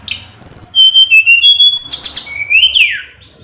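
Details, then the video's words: Tledekan gunung song meant to rouse a rival bird to answer: a quick run of high clear whistled notes at varying pitches, a dense rasping burst, then a long falling whistle. "SUARA KICAU TLEDEKAN GUNUNG FULL POWER‼️ MENINGKATKAN EMOSI LAWAN AGAK MAU MERESPON"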